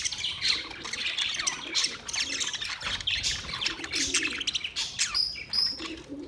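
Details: A colony of white and green parrots fills the air with distant, overlapping screeches and chatter, a busy chorus with a few clearer high whistles near the end.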